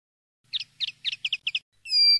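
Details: Common linnet song in campero style, used to tutor young linnets: a quick series of soft twittering double notes, then a clear, sustained pure whistle, over a faint low hum.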